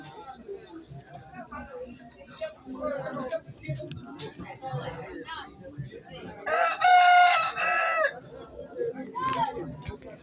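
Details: Country rooster (desi murgi) lets out one loud, strained crow about two-thirds of the way through. Before it come people talking, clucks and general yard noise, and a short squawk follows.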